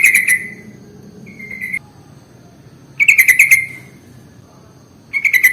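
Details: Bulbul lure audio, sooty-headed bulbul: loud, dense chattering phrases of rapidly pulsed notes that start and stop abruptly, with clear silent gaps of about a second between phrases.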